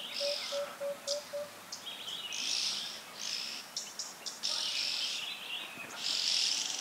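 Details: Red-billed oxpecker (Buphagus erythrorhynchus) on the S3 dirt road, Kruger National Park, South Africa, giving harsh, hissing rasps in uneven bursts, about six in seven seconds, with faint low piping notes at the start.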